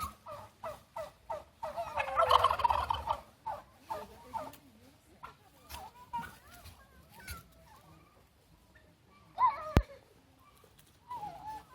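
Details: Turkeys at Fort Edmonton Park, Edmonton, showing off as people stand close: a loud, rapid, warbling gobble burst with quick clucks and putts before and after, while a few people talk faintly nearby.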